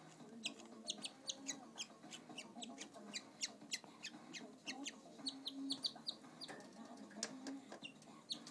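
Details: Pet male canary, a bird said to follow people around but shy on camera, giving short, sharp, high chirps in quick irregular succession over a steady low indoor hum.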